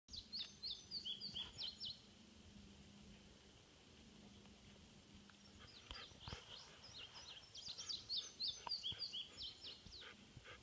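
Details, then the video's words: Indigo bunting singing on 5/9/15 at Harriman: two bursts of high, sweet, paired notes, sharp downslurred and upslurred couplets repeated rapidly, with a steady low hum and faint background noise between phrases. "Indigo bunting"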